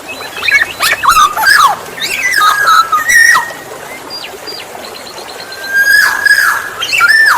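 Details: Black-naped oriole song for attracting other orioles: several harsh rasping calls and bent whistles early on, a pause with faint high notes, then a loud sustained whistle ending in a downward slur.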